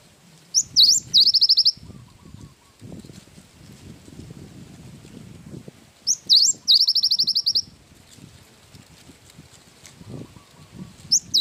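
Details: Cinereous tit in full song with a wingko-type fill. Two bursts, about six seconds apart, each open with a rising whistle and roll into a quick, even trill of piercing high notes. Steady low background noise.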